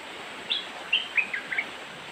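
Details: Young cream-vented bulbul, white-eyed form, gives a short run of sharp, clear chirped notes rising and falling, five separate bursts over about a second, against a steady background hiss.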